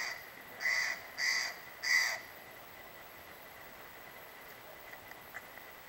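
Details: Steller's jays at Holcomb Valley Campground near Big Bear Lake, California, on July 30, 2011: three loud, harsh, raspy calls in quick succession about half a second apart, followed by quiet with a few faint ticks.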